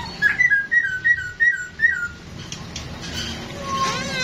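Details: Dancing masked laughingthrush sings a quick run of about eight bright whistled notes alternating high and low, then trails off into softer, lower whistles over room noise.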